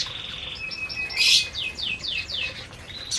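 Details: Canaries in an aviary during feeding: a sustained high whistle, then a loud burst followed by a run of descending whistled sweeps.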